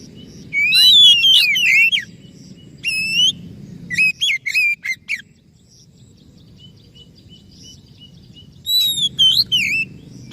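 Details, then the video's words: White-rumped shama song used as a lure to get a silent or stressed bird singing: bursts of rich, varied whistles with rising and falling notes and sharp slurs, separated by pauses, with a low background hum. "SUARA PANCINGAN _burung kacer macet bunyi / stres,"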